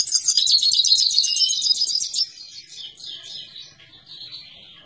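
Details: Himalayan goldfinch delivering a loud, rapid, buzzy rattle for about two seconds, then fading into softer twittering notes and short descending slurs.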